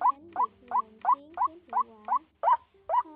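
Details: A white-breasted waterhen, in an end-of-season 2020 lure recording, repeats short, nasal, upslurred single notes, roughly three a second in a steady monotonous series, over a faint low hum.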